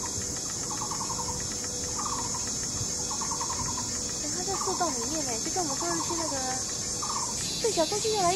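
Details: Taiwan barbet filmed in Yixuekeng nature ecological park, Taishan, Taipei County, where a pair courts in song duets while excavating a tree-hole nest; short pulsed knocking bursts repeat about once a second, then another bird's wavering, warbled notes join in.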